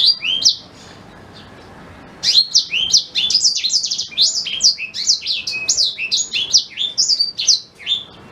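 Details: Black-throated canary song, used as a tutor recording for white-rumped shama: a short bright phrase, a pause of about two seconds, then a fast unbroken run of varied high chirps, trills and quick rising and falling notes that keeps going to the end.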